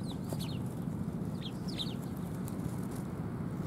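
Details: Sparrows approaching to be fed, Tenmangu shrine, 18 December 2020: a few thin, downslurred chirps in small clusters, partly buried under a loud low-pitched hum and rumble.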